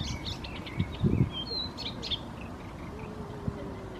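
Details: Unseen bird singing from hiding in Helsinki, Finland: a series of short, high chirps and thin notes, with a couple of brief thuds and low background rumble.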